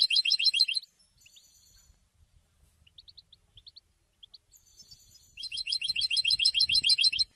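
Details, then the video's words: A goldfinch sings rapid, tinkling twittered phrases of high buzzy notes, with a quieter run of thin chips between the two bursts. "Golden songs for goldfinch voices"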